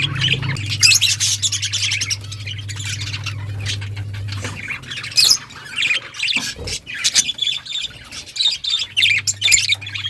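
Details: Breeding budgerigars give busy high chirps and squawks over a steady low hum that fades midway and returns near the end.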